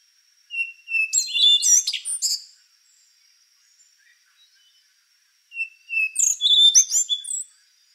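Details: Two song phrases from an endangered rufous-brown solitaire, about five seconds apart, each beginning with a long pure whistle and breaking into intricate, ringing, rapidly shifting high notes.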